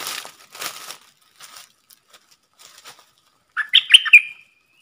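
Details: Red-whiskered bulbul decoy, kept to train young birds and attract wild birds, gives a rapid three-part whistled phrase after several seconds of scattered rustling and fluttering noises.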